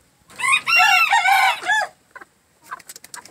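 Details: Green-legged red gamefowl rooster, described as psycho, crowing: a loud, harsh, harmonic crow of about one and a half seconds, rising then falling, followed by a few short clucks.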